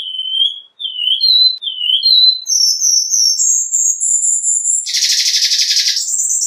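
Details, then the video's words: Cuban bullfinch singing: a series of clear whistled notes that climb step by step in pitch, each slightly higher than the one before, ending in a burst of buzzy, rattling trill and a final high whistle. "Negrito Cubano Cantando - Cuban Bullfinch Singing"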